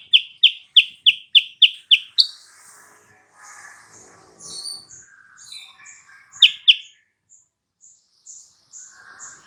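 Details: Sooty-headed bulbul lure song for drawing a rival's reply: eight evenly spaced sharp chirps, then softer scattered twitters and faint high notes, with two more loud chirps midway.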